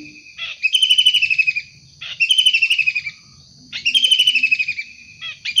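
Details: Wild long-tailed shrike producing three harsh, scratchy calls about a second long with quiet intervals holding faint low tones.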